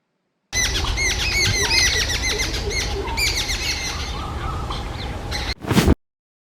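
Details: Jungle babbler (Argya striata), chatter calls.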